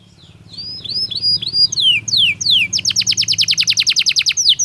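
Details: Belgian canary in natural song, used to teach canaries: a string of looping whistles builds into sharp descending notes and a quick, even trill, over a soft low hum.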